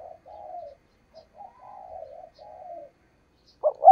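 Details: Spotted dove kept as a trapping lure, a sequence of soft low drawn-out coos, ending with a sudden loud pair of sharper coo notes.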